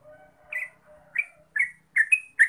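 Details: Yellow-vented bulbul (trucuk) singing in the gacor ropel style, used as a lure recording. Soft low warbles give way to bubbly, slurred whistled notes that come faster toward the end, about six phrases in under three seconds.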